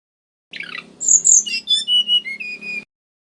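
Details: Male mangrove whistler singing for use as a lure: a rough opening burst, then a string of whistled notes stepping down from very high to middle pitch, each short and clear, over a faint low hum.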